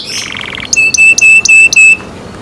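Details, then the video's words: Caged canary giving a short buzzy trill followed by five loud, ringing metallic notes at a steady pace. The last note is followed by silence. "canary Nice sound"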